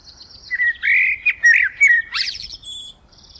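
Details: A common blackbird while eating sings a string of loud, mellow, rapidly varied fluted notes, broken into short bursts, closing with a strained, high, scratchy flourish; otherwise quiet.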